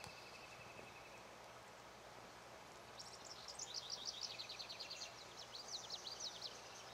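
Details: Lazuli Bunting recorded on the auto tour route of Charles M. Russell National Wildlife Refuge, Montana, USA: after a thin steady buzz, a lively high song of rapid chirped couplets and descending slurs runs for about four seconds.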